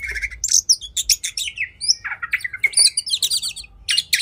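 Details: Oriental magpie-robin (kacer) singing aggressively while fighting: choppy sequence of high chirps, scratchy buzzes and short piercing whistles, each note clipped and separated by tiny pauses.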